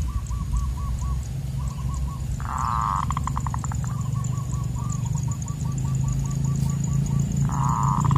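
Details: Loud zebra dove voice from a trapping session: runs of short, evenly spaced cooing notes, broken by two dense buzzy bursts, over a constant low background hum.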